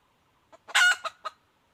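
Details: Calling junglefowl hen: faint introductory note, a strong raspy prolonged middle note, then two sharp short notes in quick succession.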